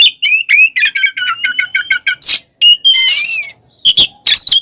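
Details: Oriental magpie-robin song for provoking rivals to fight: a long series of varied whistled notes, steady clear tones and rapid repeated phrases, then sharp chirps and a wavering trill.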